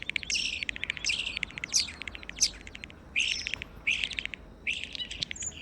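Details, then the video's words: Original recordings of European starlings, valued for their variety and character: bursts of rapid, dry clicking chatter mixed with high whistled squeals, in clusters of about half a second separated by short pauses. "Here you can hear the original European starling sounds."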